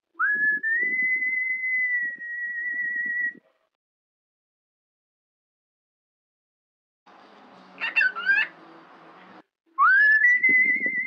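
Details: A cockatiel reproduces the Wind of Change whistle. A long sustained tone follows a rising slide, then comes a pause. A short burst of harsher, wavering chirps follows, and the clip ends with another upward-gliding whistled phrase over low background rustle.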